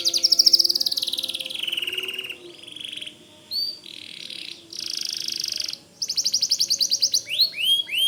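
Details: White canary singing: a loud fast trill, softer rattling rolls, then bright repeated notes and rising whistles at the end.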